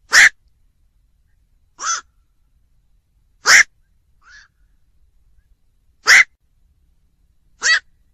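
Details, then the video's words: Black-crowned night heron uttering loud, rasping single croaks, five in eight seconds spaced about one and a half to two and a half seconds apart, plus one faint softer note; no other sounds. "tiếng vac"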